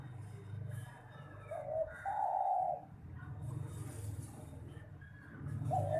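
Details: Spotted dove competition song over a low rumbling background: a short coo and a longer hollow coo, with another coo starting at the end.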